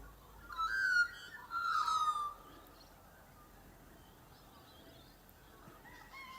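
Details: In Australia, a neighbour's guineafowl gives two harsh, squeaky calls, each falling slightly in pitch and under a second long, over quiet outdoor background noise; Australian magpies and a rooster are nearby.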